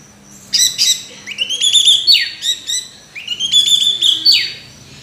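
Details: Orange-headed thrush song of two similar phrases: quick sharp chips leading into long, even whistled notes that end in a downward sweep, with a short gap between them.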